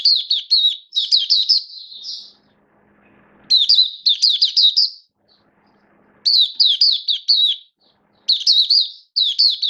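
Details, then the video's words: Caged oriental white-eye, a hobby songbird in build-up form, gives 'buka' opening song: repeated bursts of quick, high, sweeping chirps, each lasting about two seconds, broken by near-silent gaps. "Mata Puteh V2 Raja Buka Sing Build Up Form"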